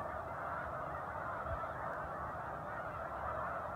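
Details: A large raft of snow geese gathered on Cayuga Lake between Romulus and Aurora, New York, in December 2023, gives a dense, unbroken chorus of high, nasal honks and yelps, many birds calling over one another throughout.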